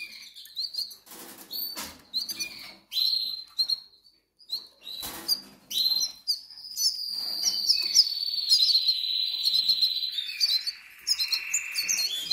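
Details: Goldfinch nestlings in the Canaries calling from hunger: scattered short high chirps broken by rustling and pauses, then swelling into a steady, sustained high-pitched begging chorus that runs on for several seconds.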